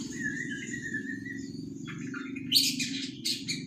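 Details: Young white-rumped shama, three months old, in practice song: a thin level whistle, then sharp buzzy high bursts, under a strong low droning hum.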